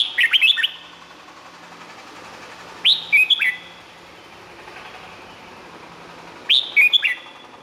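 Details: Thai red-whiskered bulbul singing, recording intended for training or exciting birds: three short phrases of quick, upward-flicking whistles, each about a second long, repeated roughly every three seconds over faint background hiss.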